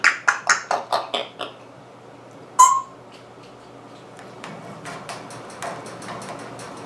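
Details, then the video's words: African grey parrot giving a fast run of seven sharp clicks that fade, one shrill whistled squawk, then softer scattered clicks. "African Grey Parrot Funny Sound & Talking"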